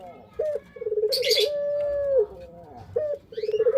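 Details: Male puter pelung dove, shown dancing while singing, gives low throaty coos: a stuttered pulsing burst that runs into a long, level, drawn-out note falling at the end. Then a short note and another pulsing burst. Brief high raspy chirps from another bird.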